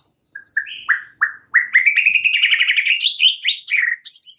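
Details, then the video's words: Provocation song of a white-rumped shama meant to set other shamas singing: short whistled notes building into a fast, rising chattering run, ending with high sharp notes. "PANCINGAN murai paling AMPUH"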